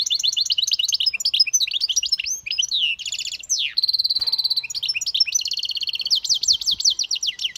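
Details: A hybrid bird sings a long, fast medley of rattling chirps, a sliding whistle, a clear rapid trill and rolling repeated notes, near and loud throughout.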